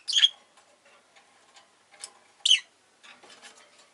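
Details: Rosy-faced lovebird indoors giving a loud harsh chirp, a softer one, then another loud chirp, followed by light scratchy rustling.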